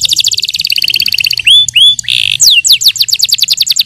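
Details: Yellow canary singing a training song: a dense high rattle, two upswept whistles, a harsh buzzy burst, then a run of quick falling notes repeated several times a second.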